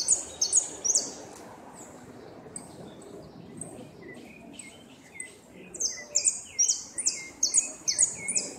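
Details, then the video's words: Competition goldfinch, second place in the 2016 northern zone, singing repique: bursts of rapid, piercing high notes, a pause with lower scattered chirps, then a long steady run of repeated high buzzy notes. "Amarillo de repique"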